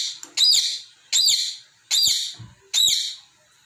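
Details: Pet talking parrot at play with its balls, scolding them. Four harsh, bright chirping squawks are evenly spaced about 0.8 seconds apart, with a small click between calls.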